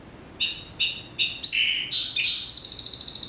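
Song Sparrow song: three crisp introductory notes, evenly spaced about every 0.4 seconds, then buzzy slurred notes and a bright, rapid trill at the end.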